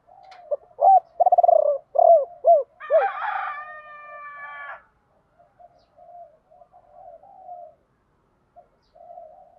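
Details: Spotted dove decoy calling to lure wild birds, 'gọi ba hậu' style. Gentle coos and a rolling trill end in two falling notes, then a rooster crows loudly, with soft cooing afterwards.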